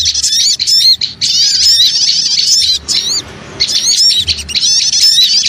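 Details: Lure recording of a noisy crowd of small birds: busy, overlapping high-pitched chirps and wavering twitters, with a short near-quiet lull in the middle before the excited chatter resumes.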